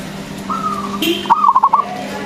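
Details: Loud local zebra dove singing as a lure for other doves. A soft level note, a brief higher sound, then a quick stuttered run of cooing pulses.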